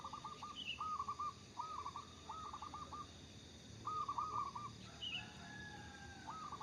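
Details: Local zebra dove singing actively: a series of rolling, trilled cooing phrases, each about half a second, repeated almost without pause, with a brief higher chirp from another bird and a steady background hum.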